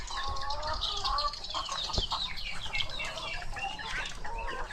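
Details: Laying hens calling inside their coop: continuous overlapping clucking and short whining notes from many birds, with a sharp knock near the middle and steady low background hum.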